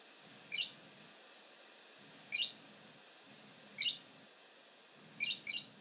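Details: Great grey shrike singing near Trondheim Airport, Stjørdal, Norway, on 3 April 2019: short bursts of sharp, scratchy high notes repeated about every one and a half seconds, the last burst doubled, with faint low rumble between phrases.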